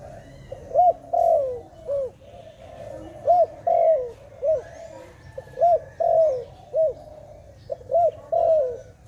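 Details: A dove repeats its cooing phrase about every two and a half seconds: a hooked short coo, a long falling note, then another short hooked note, over a quiet background with faint bird chirps.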